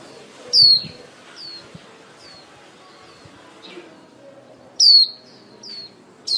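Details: Female lure white-eye, used for trapping, singing in the líu style to call the flock. Loud, thin, high whistles slide downward, one near the start and one near the end, with softer falling notes between them. A quiet, low background hum runs throughout.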